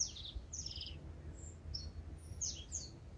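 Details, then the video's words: Pre-dawn tūī in Manawatu, New Zealand: varied high notes, with wheezy downslurred phrases, a pure whistle and quick squeaks, irregularly spaced over a low background hum. "Tūī Waking up Before Sunrise"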